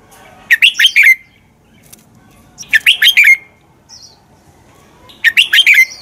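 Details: Red-whiskered bulbul giving a fighting song for training birds: three bursts of bright, slurred whistled notes, four or five per phrase, descending at the end, separated by about two seconds of near silence.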